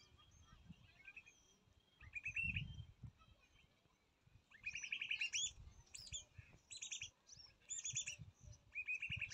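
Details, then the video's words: Baby bird being fed by its mother: bursts of high, thin chirps in rapid ragged trains, loudest around the middle and end, separated by short quiet gaps, over low rumbling background noise. "Baby Bird feeded by mother"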